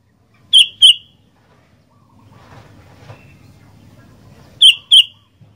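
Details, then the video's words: Sooty-headed bulbul, singing actively: a pair of quick bright downslurred chirps, a pause filled with soft low background noise, then another matching pair near the end. "Burung Kutilang Gacor Doooor"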